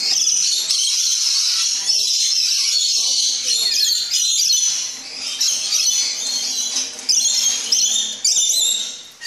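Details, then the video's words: Captive Rainbow Lorikeets in an aviary at a tropical flora and fauna park in the Netherlands, excited as metal feeding trays signal food, giving a dense, continuous tumble of harsh, high screeching squawks from many birds at once. "Watch beautiful and noisy Rainbow Lorikeets (parrots) being fed!"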